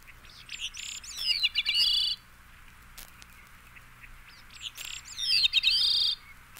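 Veery singing twice, each a breathy, ringing phrase that spirals downward in a rolling series of flute-like notes, with a few seconds of quiet between phrases.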